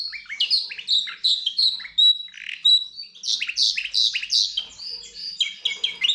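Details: Mule bird from goldfinch and canary twittering a busy, scratchy song mixing buzzy chirps with clear whistled notes, phrases tumbling together continuously.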